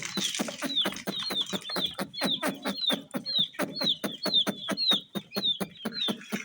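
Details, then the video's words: Peeping of colour-dyed chicks: high, downslurred cheeps repeated about twice a second, accompanied by regular tapping or pecking knocks throughout. ""Chicks Chirping" Sound"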